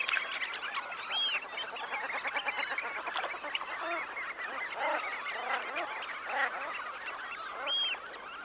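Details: About 20,000 red knots take off from a high-tide roost, a dense continuous chatter of short soft notes with a roar of wings, and a couple of clear whistles cut through.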